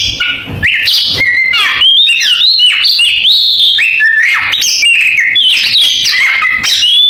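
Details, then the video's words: Canary-style singing from an Oriental magpie-robin: rapid varied phrases of upslurred and downslurred whistles mixed with brief trills, running almost without pause. "Suara Kacer kenari falk"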